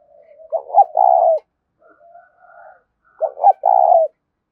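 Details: 'Thúc' style cooing of a spotted dove meant to draw in wild doves; two matching loud husky phrases of short stuttered notes plus a long coo, with quiet murmuring between them.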